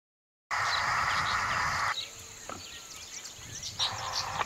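Rufous-sided Crake giving two bursts of a loud, dense, rapid churring trill, first about one and a half seconds long, with faint high bird notes behind.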